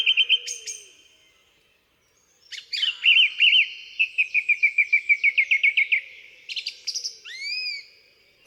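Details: Song Thrush singing in Britain, where it lives in woods, parks and gardens. It sings short phrases, each repeated several times: a fast run of about fifteen identical chipping notes, then a rising whistled note given twice.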